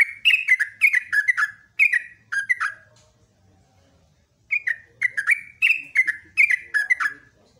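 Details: Rapid 'ropelan' morning song of a yellow-vented bulbul: chattering strings of gurgled, downward-slurred notes, a pause of over a second, then another lively run.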